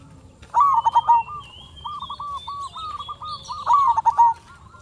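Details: Zebra dove of a local strain singing to draw replies from other doves; a staccato trill opens, followed by a string of evenly spaced short coos and another quick trill, with a faint whistle above.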